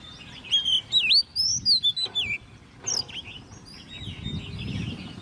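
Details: Competition singing from a caged Oriental magpie-robin, ten months old and raised by hand from a chick: a rich run of rising and falling whistles, rapid chirps and a high sweeping note, then softer chatter over low rumble.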